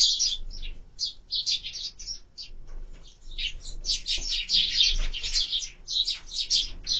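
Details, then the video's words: Bird-camera recording of sparrows at a feeder: clusters of sharp, high chirps, irregular, roughly two per second, growing denser and louder toward the end. "#воробей #sparrow"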